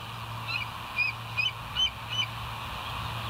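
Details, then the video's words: Bald eagle heard at night at the West End nest at 02:31 on 09/11/2023: four faint, high, squeaky piping notes spaced about half a second apart over a steady background hum. "West End Bald Eagles 09/11/2023 02:31"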